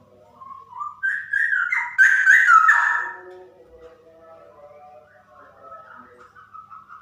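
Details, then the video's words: One female straw-headed bulbul delivers a 'super ropel' song: a climbing series of mellow whistles swelling into a loud, gurgling flourish, then trailing off into faint, quiet notes. "Burung Cucak Rowo Betina Super Ropel"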